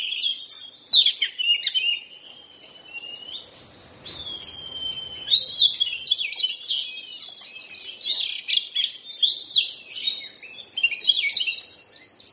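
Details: Rich, continuous song from a molting Oriental magpie-robin: jumbled high chirps and whistles, a few sustained pure tones, and rapid warbled phrases throughout.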